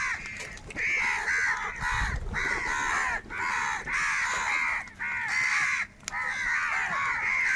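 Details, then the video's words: Huge numbers of crows fighting for food: bursts of loud, harsh overlapping cawing lasting about a second each, separated by brief quieter gaps, with a low thump near the start. "Kaka sound and Noises of Crow Birds | Huge Numbers of Crows Crowing and Crying sounds"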